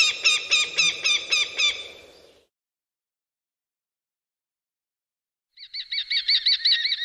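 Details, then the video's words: Eurasian sparrowhawk in a garden giving a rapid harsh chattering series that stops after two seconds, then after a silent pause a higher, wavering series of quick notes resumes. "jastrab krahulec a jeho hlas"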